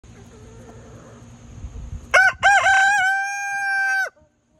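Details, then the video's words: Easter Egger rooster crowing in the morning: one loud crow, starting in choppy bursts and ending in a long, level, harsh note, with low rumbling before it. "Easter egger rooster crowing in the morning"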